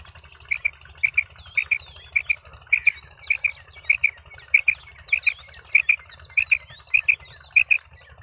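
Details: Wild partridge calling in the background during quail trapping, in an area with many wild partridges: loud, clipped double notes repeated about every half second in a steady run, over a low rumble of wind.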